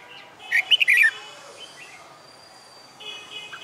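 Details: Caged red-whiskered bulbul trained for fighting song sings a single loud phrase of several bubbling, slurred whistles, followed by quiet background with faint distant bird notes.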